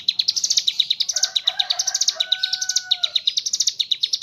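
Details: Ciblek gunung singing continuously in gacor style, its song filled with kapas tembak imitations: dense, rapid, high-pitched twittering, overlaid midway by a steady, lower pure tone lasting about two seconds.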